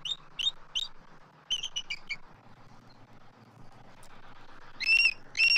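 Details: Nest-camera recording from Southwest Florida, March 2024: both adult eagles vocalize at an intruding immature eagle circling the nest tree. A few sharp, high squeaky notes early, a quiet gap, then renewed piercing chitters near the end, with low background rumble.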